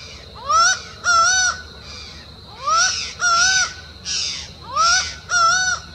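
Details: Laughing falcon calling on a trail near Uberlândia, Minas Gerais, Brazil, with its ominous song: loud, nasal paired notes, a rising note then a level one, repeated roughly every two seconds over soft hiss.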